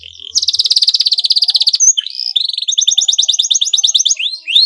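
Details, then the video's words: Canary song used as a lure to provoke a rival into answering: a long, fast rattling trill, then a short upswept whistle and a quick, bouncy rolling phrase ending in rising notes. "pancingan bunyi kenari ini sudah terbukti ampuh membuat lawan tatah langsung respon"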